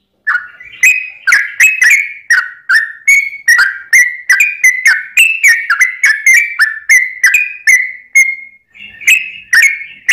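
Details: Sooty-headed bulbul in a long, rapid-fire lure song for provoking other bulbuls to sing. A ten-second stream of ringing whistled notes, some rising and some falling, with one brief gap near the end.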